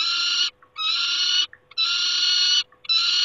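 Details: Peregrine falcon calling at the nest in Poland, 28 August 2021: a series of four drawn-out, grating screams lasting about a second each, separated by brief pauses with soft clicks, over a constant low electrical hum.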